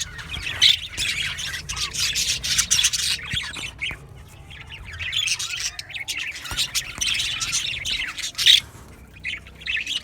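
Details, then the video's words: Budgerigars kept as a colony in an aviary, chirping in waves: dense bright chatter and squawks swelling, dipping briefly around the middle, then rising again with sharp peaks. "Budgies Chirping sounds"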